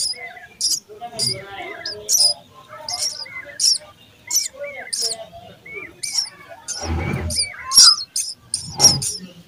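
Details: Chicks of a sparrow in the nest beg loudly while fed, sharp high chirps repeated with short gaps and a brief rustling burst midway.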